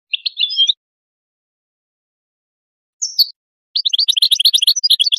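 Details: European goldfinch song for mating stimulation: a brief twittered phrase, a single high call after a pause, then a quick, tinkling chatter of repeated bright notes.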